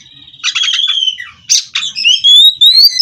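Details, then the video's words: Captive Oriental magpie-robin (kacer) from a breeding farm in continuous 'ngerol' song: a buzzy stuttering rattle, harsh bursts, then a clear whistle climbing steadily in pitch. "Kacer Ini Ngerol Tanpa Henti"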